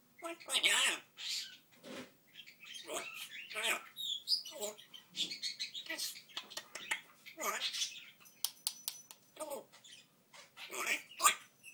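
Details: A pet African grey parrot (Psittacus erithacus) talks in a stream of mimicked words and phrases like 'what are you doing', 'you dirty', 'naughty boy', mixed with sharp whistles and squawks in quick, uneven bursts.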